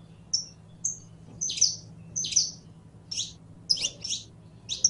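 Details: Saffron finch, called canario criollo, singing brief sharp whistles followed by fuller buzzy chirps in quick succession, roughly eighty notes a minute, over a quiet low hum.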